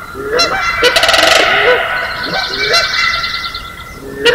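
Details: Canada Geese honk in the early morning of May 4, 2016 at Johnson Prairie, a natural amphitheater, with Sandhill Cranes calling. Rising nasal honks come every second or so over a steady, high, ringing crane chorus, with one loud harsh burst near the start.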